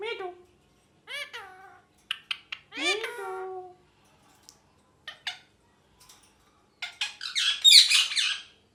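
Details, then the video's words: Pet rose-ringed parakeet chirping and apparently saying 'mithu mithu': a few short, voice-like harmonic calls that slide downward, some quieter chirps, then a loud burst of harsh, raspy screeching near the end. "Parrot Speaking Clearly (Mithu Mithu) | Parrot Chirping Sounds"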